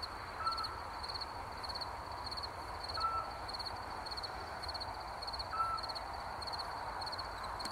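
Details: Eurasian scops owl in woods at night giving a single soft, whistled 'tyuu' note about every two and a half seconds, over steady pulsing insect chirps and a faint night hiss.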